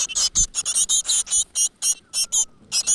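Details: Great tit nestlings in a nest in a rock crevice begging as the parent brings food: a harsh, hissing, high-pitched chorus of rapid bursts, about three or four each second, with no other clear sounds.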